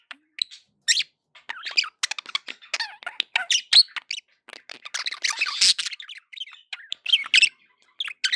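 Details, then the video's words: Pet budgerigars in a happy mood give a continuous stream of rapid clicks, squeaks and scratchy chirps, with busier warbling runs midway and toward the end. "happy budgie sounds"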